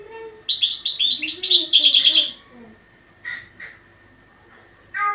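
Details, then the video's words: European goldfinch training song: a rapid burst of bright tinkling, twittering notes for about two seconds, followed by a few short separate chirps after a pause. "تغريد الحسون"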